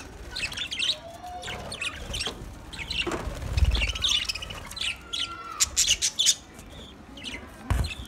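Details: Budgerigars talking to each other with sparse sharp chirps, occasional squawks and a drawn-out whistled note, with low thumps and quiet stretches between calls.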